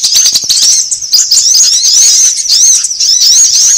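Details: Sunbird calling to attract other birds: an unbroken, very high, jittery trill of rapid thin chirps with slight rising and falling wavers.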